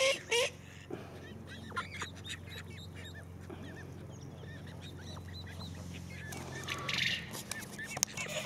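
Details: Call ducks, a pair of loved domestic birds, calling with loud brief quacks at the start, then scattered short honking notes over a steady low hum, and another harsh burst near the end.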